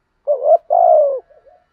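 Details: Single phrase from a decoy spotted dove in 'gù thúc' urging style to lure wild doves: a short rising note, then a long, mellow coo sliding downward, trailed by faint murmurs.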